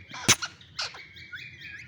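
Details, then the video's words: Green ringneck parrot, new to its home, lets out a harsh broadband squawk, then rough chattering notes trailing into thin wavering whistles. "New green ringneck parrot talking"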